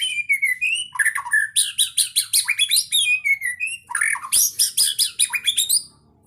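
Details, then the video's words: Champion white-rumped shama (murai batu) singing in the full 'gacor full isian' style: fast, rich, almost unbroken phrases of clear whistles, trills and buzzy notes that sweep between high and lower pitches for about six seconds. "Suara burung muarai batu juara gacor full isian"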